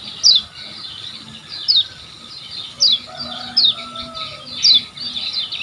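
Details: Kecial kuning from Lombok on a tutor recording for caged birds: single high notes sliding steeply down, repeated about every second, with faint lower whistles and calls behind.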